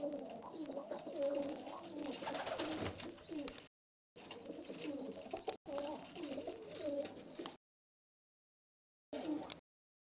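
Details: Istanbul pigeons, birds with pale (çakır) or red eyes, giving low, rolling coos that overlap from several birds, broken by short silent gaps, with faint high chirps in the background.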